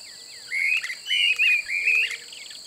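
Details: Streamer-tailed tyrant (Gubernetes yetapa) recorded in open wetland at Pousada Aguapé, Aquidauana, Mato Grosso do Sul, Brazil: three loud, scratchy chattering bursts in under two seconds, backed by a constant shrill insect drone.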